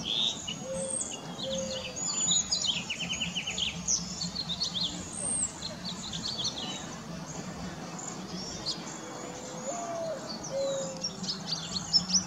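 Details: About 35 cedar waxwings perch and sing in a very bare tree, some foraging for the few remaining berries. High, thin, sibilant calls come in scattered bursts. Occasional lower whistled slides and a constant low rumble of background noise accompany them.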